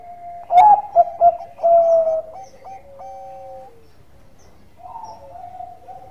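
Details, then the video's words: Zebra dove of the Bangkok type, singing actively as a lure to prompt other doves: three loud short cooing notes, then a drawn-out, slightly falling coo, followed by softer overlapping coos from other doves. "Perkutut Bangkok Gacor Suara Santai tapi Merdu Pancingan"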